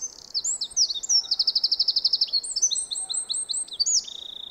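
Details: Eurasian wren wintering in a yard, giving fast, high, ringing trills of sharp repeated notes, with brief whistled phrases between trill bursts; the background is quiet.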